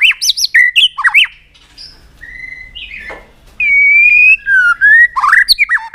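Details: White-rumped shama in an excited, many-voiced singing bout: quick looping whistled notes, a pause, then long, bright, sustained whistles and swooping slurred phrases.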